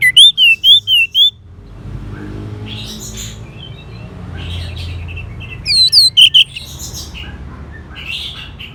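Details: Orange-headed thrush kept in northern Bali, Indonesia, its song used to spur a silent bird into singing: a rapid run of five wavering whistled notes, then soft scratchy phrases and a second loud whistled burst.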